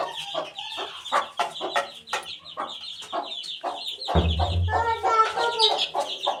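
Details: Chicken chick aged eighteen days: quick series of high cheeps roughly twice a second over lower clucks, followed by a low humming sound and louder, longer whistled calls toward the end.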